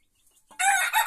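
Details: Small rooster in a henhouse giving a loud, raspy crow that bursts in abruptly after a moment of quiet and runs on strongly with a brief dip partway through, cut off before it ends.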